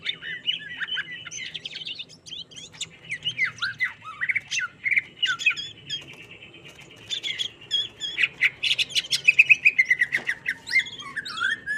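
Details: Greater green leafbird in mental training, agitated, delivering a varied, fast song of slurred, downward-sweeping whistles and clipped chirps in bursts, pausing near the middle, over a constant high-pitched tone.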